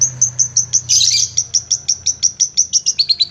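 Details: Repeated high chirps from a long-tailed shrike (cendet) in a tutor recording, about three per second, interrupted early by a brief harsh, noisy burst; the notes drop slightly in pitch near the end.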